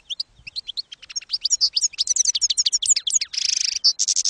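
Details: European goldfinch, campero song style, from a 2022/2023 training recording for young goldfinches; scattered chirps build into a rapid, rhythmic twittering phrase with buzzy rasping notes near the end.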